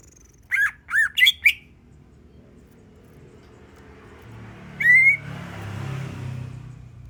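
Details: Greater green leafbird song used as a lure to get other birds singing: four strong, clipped whistled notes in quick succession, a pause, then a single loud upward-sweeping whistle, against a faint low rumble.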